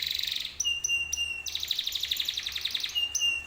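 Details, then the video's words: Canary song aimed at getting other canaries to answer: a rapid trill, clear sustained whistled notes repeated at intervals, then a buzzy fast trill and more whistles. "PANCINGAN BURUNG KENARI 100% IKUT NYAUT"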